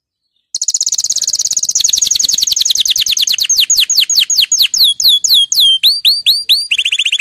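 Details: Canary in full song, used to get other canaries singing: a long fast rolling trill of rising notes that gradually slows into distinct upward-swept whistles, ending with a lower quick trill.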